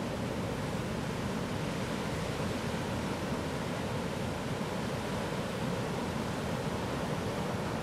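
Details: Steady roar of waves and surf on a beach by the sea, with no animal sound.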